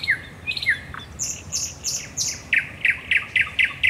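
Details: Night song of a thrush nightingale at the Raszyn Ponds, Poland, 10 May 2021: two slurred downward notes, then a string of sharp, evenly spaced clicking phrases repeated about three times a second.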